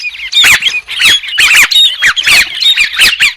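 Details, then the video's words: White-crested laughingthrush calling in loud, rhythmic bursts of harsh squawks mixed with short descending whistles, about two bursts each second. "TIẾNG CHIM HÉC SOAN-CHIM ĐẦU TRẮNG"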